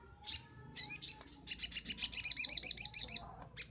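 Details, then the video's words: Sunbird, recorded as a master track for training songbirds, gives a few sharp high chirps and then a rapid buzzy trill of repeated notes for nearly two seconds, with a faint low hum beneath. "Masteran sogok ontong paling ampuh - sogon gacor nembak"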